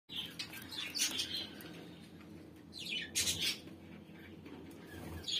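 Zebra finch chicks giving high, thin, buzzy calls in short bursts, with a few louder rasping notes.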